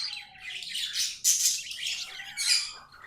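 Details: Pet budgies singing in a continuous scratchy, buzzy warble with squeaky notes and a faint thin whistled tone underneath, growing louder in short swells.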